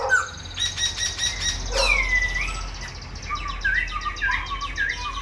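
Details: Silver-eared laughingthrush kept in a cage, a tame bird that sings all day while flicking wings and fanning its tail; a long gliding whistle followed by short clear upslurred notes repeated over a low hum.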